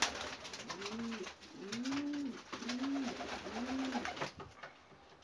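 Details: Squabs of white Ges pigeons, a Bağdat cross with flight or post pigeons, bred from a Gök Alaca Ges. Four drawn-out, low arched whines, each rising and falling, with light clicking and tapping sounds around them.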